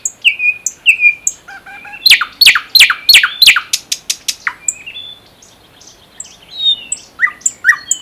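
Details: ["Common nightingale in Russia's Unzha river floodplain and Kologrivsky Forest reserve delivers slurred drawn-out notes, a run of loud rapid strokes, then thin high whistles."]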